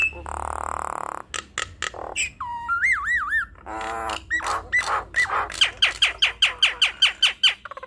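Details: Nias hill myna song: harsh rasps give way to wavering whistled notes, then a fast regular string of bright, sharp whistles repeated about three times a second.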